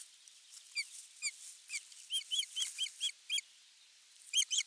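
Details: Osprey at the nest on the morning of 23 June 2020, as a crucian carp is delivered under a live camera. Moderately distant whistled notes come singly at first, then in a tighter group, and finally as a short burst.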